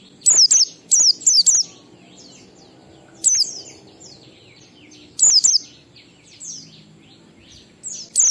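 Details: Ngalas-style 12345-beat song of an Oriental white-eye, played to get white-eyes singing. An opening run of four high descending chirps, then paired and single sharp notes spread over eight seconds with faint background chatter.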